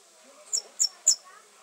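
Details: Forest birds chirping: three short, very high, thin chirps spaced about a quarter second apart, over a quiet background.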